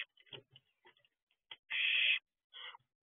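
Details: Barn owl owlet at its nest box at 4:31 am: soft scratching and clicking, then a loud half-second rasping hiss, followed by a shorter, quieter hiss.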